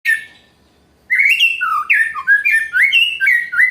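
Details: White-rumped shama in challenging song: one loud note, a pause, then rapid varied whistled phrases rising and falling, some buzzy, delivered continuously.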